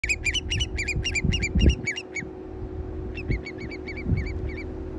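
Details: Long-billed curlew at the Finnegan Ferry, Alberta, at 4:24 pm on 9 July 2023, gives two quick bursts of ringing, slightly nasal whistled notes, about five a second, over a low rumble of wind.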